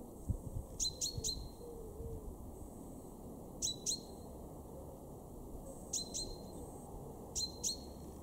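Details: Male common chaffinch, garden at Weener, East Frisia, Germany, in March 2023: groups of sharp, metallic 'pink' calls in twos and threes, repeated every few seconds, with faint low cooing from a pigeon early on.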